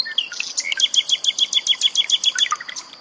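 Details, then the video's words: Common nightingale song mixed with trickling water, meant for training cage birds such as magpie robins; rapid series of bright, evenly repeated high notes about six per second, then a short lower slurred ending, over a soft hiss. "SUARA BURUNG SIKATAN LONDO"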